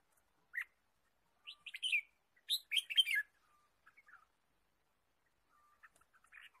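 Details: Red-whiskered bulbul heard in wild forest while bird trapping, March 2017; a lone chirp, then two loud bursts of rapid, bright chirping notes, followed by scattered soft ticks and faint chirps.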